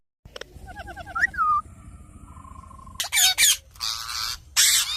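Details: Indian ringneck parakeet: a few thin repeated whistled notes and a sliding whistle, then loud, harsh, raspy squawks in three separate bursts over a low background rumble.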